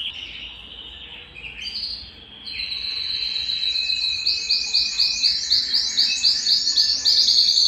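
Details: Belgian canary song meant to warm up males and ready females for breeding, opening with scattered high notes and a long thin whistle, then building into a loud rhythmic trill of repeated swept syllables.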